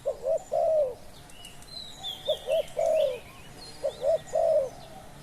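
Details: Decoy spotted dove calling to draw in wild doves. Three phrases of low hollow coos, each two quick short notes followed by a long sliding note that falls away. Thin whistles and chirps of other birds in the background.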